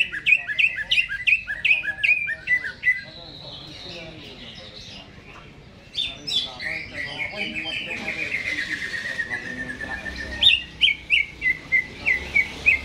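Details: Caged greater green leafbird, recorded before hanging, opens with rapid sharp whistled notes. A stretch of broad hissing noise masks the middle, then a drawn-out descending whistle and a string of quick chirps close the passage.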